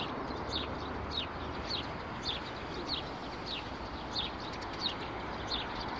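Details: Spring chirping of fairly plump sparrows in bushes near a bench by Vavilova street, 12 April 2019: bright, descending chirps at uneven intervals over a low urban background hum.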